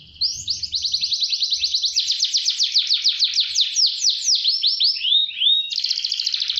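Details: Canary in full speed roll, played to train other canaries: quick rising note, then a long rapid series of descending strokes, two soft slurred whistles, and a renewed fast roll; faint low thumps at the start.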